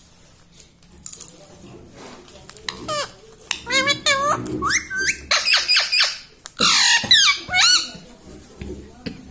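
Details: Household talking parrot, reportedly saying "mummy": soft background murmur gives way to a dense string of squeaky, voice-like bent syllables and harsher squawks, about two per second, over the final half.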